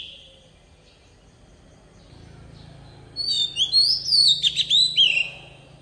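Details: Forest-style song of a decoy Oriental magpie-robin for training young birds: after a steady low hum and a faint whistle, a burst of rapid, varied whistled and trilled notes arrives in the second half.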